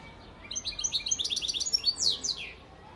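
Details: European goldfinch, a father bird from Antalya, Turkey, in 2018, delivering a rapid chattering burst of high twittering notes, then two strong descending slurred calls.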